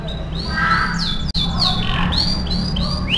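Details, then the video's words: AF canary in lively song for training: harsh squawky notes and sweeping chirps repeated in quick succession, with a short break mid-phrase and low rumbling background. "MASTERAN KENARI AF GACOR"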